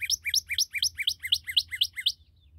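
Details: A newly captured Northern Cardinal gives a quick run of about nine bright, rising slurred whistles, roughly four per second, then stops. A faint low hum sits underneath.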